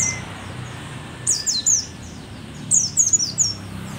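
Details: Old mountain white-eye (pleci dakun), called a rare Merapi endemic and still a keen singer; two rapid sequences of four sharp, very high descending notes, with low background rumble throughout.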